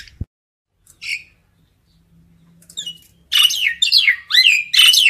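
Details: Common myna calling its flock: after near silence and a single scratchy note, four loud, harsh, buzzy squawks follow in quick succession in the last two seconds.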